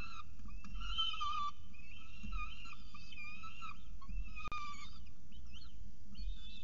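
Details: Peregrine falcon on the nest at CSU Orange with pigeon prey, morning of 24 October 2018; drawn-out, wavering whining notes, one sharp click midway, over steady low background noise.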